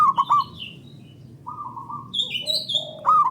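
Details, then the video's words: Local zebra dove song used to stimulate other doves: trilled, bubbling coos at the start, a smooth rolling coo in the middle and another trill at the end, mixed with high bright chirps from other small birds. "Pancingan Burung Perkutut Lokal Gacor Dor Bersaut Sautan $uara Keras Panjang"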